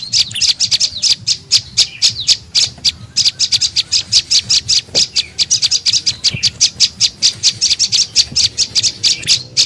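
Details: Tailorbird lure call for attracting birds: a long run of sharp, high ticking chirps, fast and fairly even, several per second, with a couple of faint dull thumps in the background.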